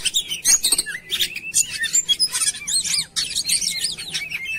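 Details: Oriental magpie-robin song played as a lure to make birds sing. Mix of harsh rasping bursts and clear, arching whistles, with a brief pause near the middle before lively phrases resume.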